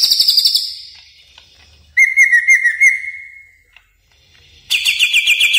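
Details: Caged greater green leafbird training song: a high bright trill, then a steady whistled warble that shimmers in rapid pulses and slowly falls, a pause, then a loud harsh trilled burst.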